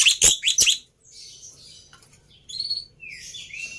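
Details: Lure song of a Black-winged myna, used to set off a quiet bird: two loud, harsh screechy bursts open the phrase, followed by softer hissing notes and thin whistled slurs.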